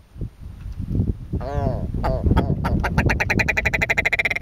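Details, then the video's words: Territorial male red grouse on Grinton Moor, Swaledale, scolding intruders on his patch: voices at first, then a fast, accelerating run of harsh, clucking notes that stutter together into a rattling cackle. "This grouse had a lot to say to us"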